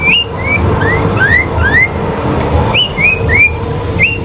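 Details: Duelling sooty-headed bulbul, its fighting song used for training: a string of short, bright, upslurred whistles, each about half a second apart, with fainter higher notes in between over a constant low rumble.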